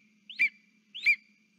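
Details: Lesser spotted eagle at its nest, 3 September 2023, a male holding a frog and calling to its mate: two clear, sharp yelping whistles, each rising then falling, about two-thirds of a second apart, against near silence.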